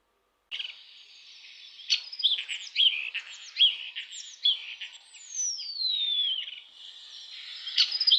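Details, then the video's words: A Common Starling, one of the first spring migrants to return from warm countries, sings a busy jumble of clicks, wheezes and sliding whistles. "Шпак один з перших прилітає з теплих країв до нас послухайте як Шпак співає"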